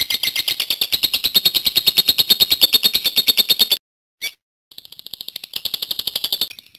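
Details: Lovebird of champion-candidate quality giving a 'gacor panjang' long song: fast, steady, rattling high chatter for nearly four seconds, then a sudden silence, one short chirp, and the buzzy trill starting up again in quieter bursts.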